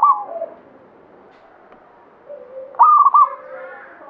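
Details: Zebra dove, local Banyumili katuranggan bird, gives a fading coo at the start. After a quiet gap with distant low cooing, one strong trilled phrase arrives, followed by softer overlapping doves.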